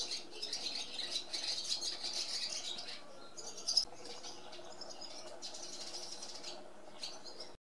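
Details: Barn swallows (Hirundo rustica) keep up a steady, high scratchy twittering, thinning into scattered bursts later, with one brief sharp chirp near the middle.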